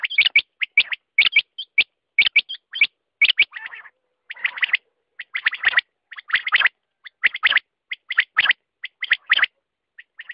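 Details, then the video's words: Quail voice over ten seconds: a steady stream of scratchy chirps and small curled whistle notes, about one burst per second, with a softer buzzy rattle in the middle. "Batair ka awaz"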